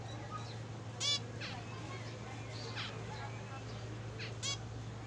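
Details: Two sharp, nasal, trumpet-like calls from a zebra finch about three seconds apart, with a few faint sliding chirps in between over a constant low hum.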